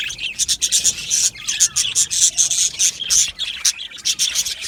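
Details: Aviary of Australian budgies producing rapid, pulsing high chirps in quick succession, a steady buzzy chatter from many birds with tiny pauses between bursts.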